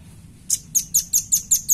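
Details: Velvet-fronted nuthatch recorded to train other birds: seven high, crisp chirps spaced evenly about a fifth of a second apart over a low background hum.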